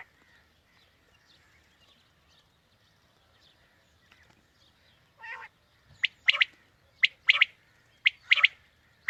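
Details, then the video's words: Quail lure for morning hunting: near silence, then one rasping note, then a quick run of high, sharp three-note phrases, a short note and a double each time, repeated roughly every second. "Quail Calling 2020 | Batair Ki Awaz suba ki shikar Ki liye"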